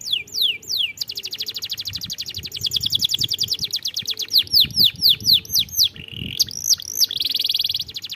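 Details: Canary song used to coax young canaries into singing: fast repeated descending whistles roll into a long, rapid rattling trill, followed by sharp upswept and falling notes and a closing buzzy trill, over a faint low hum.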